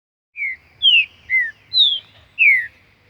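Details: Green-winged saltator singing in the wild; a loud phrase of five clear whistled notes, each slurring downward, alternating higher and lower, delivered over about two seconds against a quiet background.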